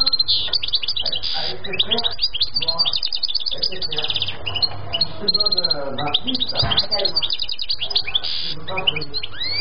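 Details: Rapid tinkling song of a European goldfinch, dense clusters of clipped chirps and rolling trills, with a few brief pauses and a low background hum throughout.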